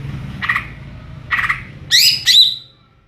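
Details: Cucak ijo, the greater green leafbird, in ngeplong song: two rough, scratchy notes spaced about a second apart, followed by two loud, ringing high whistles in quick succession, the second trailing away.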